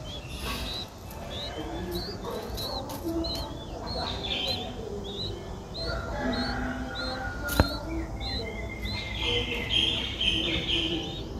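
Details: Streak-eared bulbul chick, seven days old, eyes newly open, in Ubon Ratchathani, Thailand, 9 April 2023; sequence of high upward-flicked squeaks, some doubled, with scattered knocks and a sharp tap near the middle.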